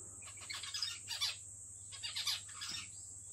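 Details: Zebra finch giving its typical call of excitement, quiet and pleasant: two bursts of short, nasal, harmonic-rich chirps in quick succession, separated by a brief pause, over a steady high-pitched electrical whine.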